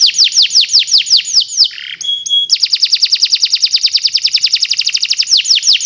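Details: Canary (Kenari Nusantara) singing a long training song: repeated down-slurred whistles, a brief buzzy break with a thin pure tone, then a rapid, steady, high trill.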